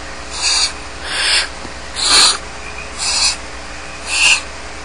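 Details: Barn owl chicks alone in the nest at Starr Ranch, giving harsh hissing begging screeches of about half a second, repeated roughly once a second with slight irregular spacing, over a steady low hum.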